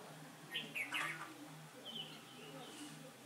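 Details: Red-whiskered bulbul at a trap on 15 October 2017, as the wind turned: a lively burst of quick chirpy warbled notes, then a quieter thin phrase, followed by a man's voice and a low steady hum.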